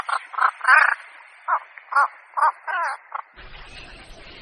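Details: Harsh, grating croaks of a Javan pond heron played as a lure, about eight in three seconds, then a burst of broadband noise.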